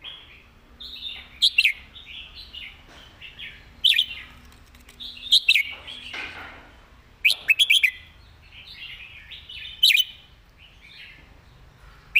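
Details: Red-whiskered bulbul in a cage, singing busily: short bursts of bright chirping notes mixed with continuous softer warbling, repeated roughly every few seconds, with a faint low hum and some rustling.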